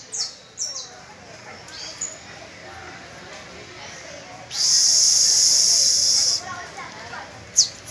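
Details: Canary with young pupil birds practising, recorded on the first of May: mostly quiet with a few scattered chips, then a single loud high rolling trill held about two seconds, and a final sharp note.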